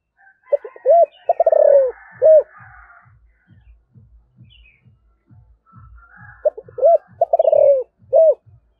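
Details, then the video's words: Spotted dove in thổ voice giving two full calling phrases, each of short notes, a rapid stutter into a long falling coo and a final rounded coo, over a steady low rhythmic thumping in between. "cu gáy giọng thổ gáy gọi"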